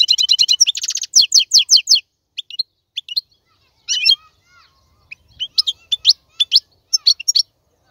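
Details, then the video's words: European goldfinch male singing, a tutor song meant for chicks to copy. A quick rattling trill and rapid chirps at first, then spaced, sharp high twitters with short gaps between them. "تغريد الحسون : تغريد روعة"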